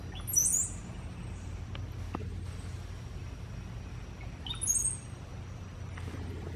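A cowbird gives two brief, very high, thin whistled phrases about four seconds apart, likened to gurgling water, over a steady low rumble.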